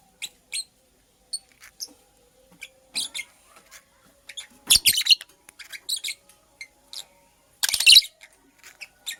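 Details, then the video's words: Nest-making female purple lovebird giving thin high chirps that build into two dense, louder bursts of rapid scratchy chatter, with quiet gaps between. "Purple Lovebird Chirping Sounds - Female Lovebird Makes a Nest"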